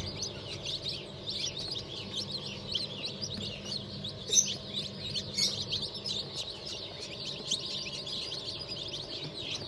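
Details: Crowd of newly hatched chicks, a mix of turkey, bantam, Sussex and Australorp hatched 31 May 2023, chirping thinly and continuously at high pitch, with a couple of louder piercing peeps midway and a faint background hum.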